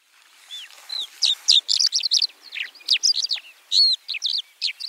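A White-winged Lark sings a rapid, jumbled stream of high chirps, trills and short whistled slurs, delivered without pause in a varied, scratchy medley.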